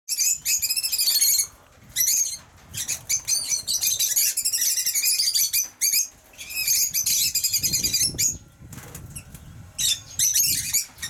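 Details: Pet lovebirds giving continuous shrill, high squeaky chatter in long dense bursts broken by brief pauses, several overlapping voices, with a soft low rumble in places.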